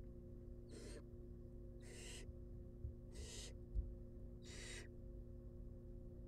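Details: Begging wild barn owl nestlings during a feed, four evenly spaced harsh hissing screeches about 1.2 seconds apart, with a couple of faint knocks and a steady electrical hum.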